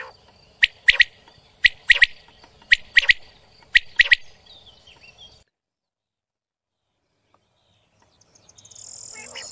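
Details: Quail (batair), filmed in connection with quail hunting, gives sharp, clipped notes in quick bursts of two or three, repeated about once a second for five seconds. Silence follows, then a faint hiss near the end.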